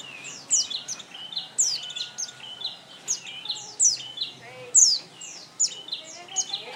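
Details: Oriental white-eye song: rapid high chirps and thin descending whistles, in bursts about every half second, with fainter twittering between phrases and a quiet background hum.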